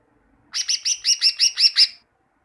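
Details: Tutor song of a greater green leafbird, played to caged birds so they sing more readily: eight evenly spaced, ringing chirps delivered rapidly in a steady rhythm over roughly one and a half seconds, with no other sounds.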